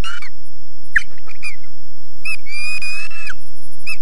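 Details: Osprey defending its nest at RSPB Loch Garten in Scotland, with lousy sound quality: clusters of piercing, quavering whistles, including a drawn-out wavering call near the end, over a noisy hum.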